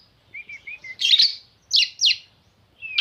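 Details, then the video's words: White-rumped shama song opening with a few soft low whistled notes, then loud buzzy downward-sweeping bursts and a final whistled phrase. "AMPUHHH KACER LAIN PASTI EMOSI!!!"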